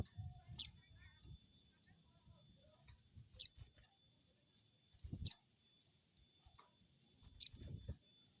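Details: Crested jay crecet calls used as a lure to make a wild bird answer: four short, sharp, high bursts about every two seconds, with one brief whistled note between them, over a low rumbling background.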